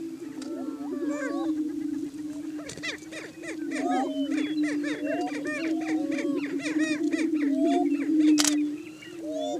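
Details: Many Greater Prairie Chickens courting on a hilltop booming ground in Washington County, Kansas, on a spring morning, holding breeding territory; continuous low moaning boom beneath dense overlapping cackles, whoops and squeals, with one sharp high burst near the end.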